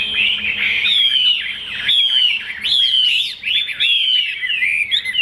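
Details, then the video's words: Chinese hwamei, a kept bird with a fig-leaf-shaped tail and glossy plumage, offered for sale in Vietnam, sings well: loud, clear whistled phrases with sliding, slurred notes, delivered in separate bursts about a second apart. "Họa mi đuôi lá vả bóng bộ đẹp hót hay"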